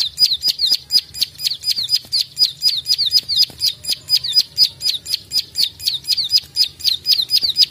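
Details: Rapid clicking of a plain prinia, called prenjak sawah, in a fighter-style training recording for songbirds: quick, sharp, high chirps falling in pitch, delivered in a fast, continuous train of about three per second.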